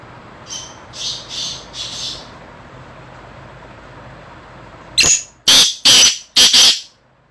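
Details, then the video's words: Kala titar, a black francolin held in a cage: a softer, distant-sounding series of four scratchy notes, then a louder, close burst of four harsh, grating notes over background hiss. "black francolin (kala titar)"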